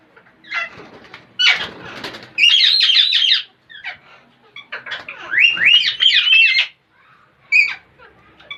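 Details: Parrots making strange, funny noises: scratchy chattering, then rapid rising whistled trills, with quieter muttering sounds in between.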